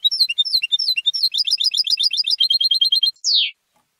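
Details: Competition-trained European goldfinch reared at home, delivering rapid high tinkling twitters in even repeated phrases, then one sharp descending buzzy note before silence.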